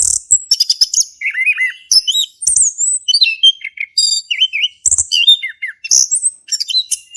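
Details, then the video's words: Actively singing male orange-headed thrush with ngeplong-style song, played to prompt a silent thrush: continuous rapid medley of high whistles, wavering slurred notes and dry chirps, with barely any pauses. "Anis Kembang Jantan Gacor buat pancingan anis kembang macet bunyi"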